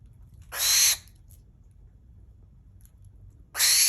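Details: Two harsh, hissing screeches about three seconds apart from a captive barn owl at an owl cafe in Tokyo, Japan, each roughly half a second long, over low steady background hum.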